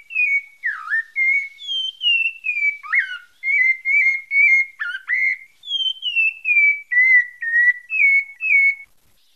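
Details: Whistled song of a pale-breasted thrush from Bahia: steady run of short clear notes, mostly slurring downward, broken by a few harsher dipping syllables, roughly two notes per second, on a silent background.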